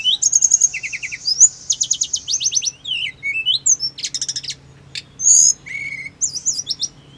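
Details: Hill blue flycatcher song played to make caged birds answer fast and agitated: rapid clicking trills, downward slurs and buzzy bursts in quick succession, with short high whistles near the end.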